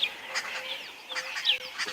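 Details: At sunset on 21 January 2022, on safari under building clouds, several Arrow-marked Babblers in the brush give a loud, harsh, raspy chatter in quick overlapping bursts, over a faint low hum.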